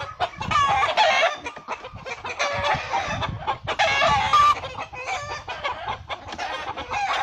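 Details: Hen defending her chicks from a hawk and killing it, with agitated, harsh squawks and clucks in bursts amid a noisy commotion.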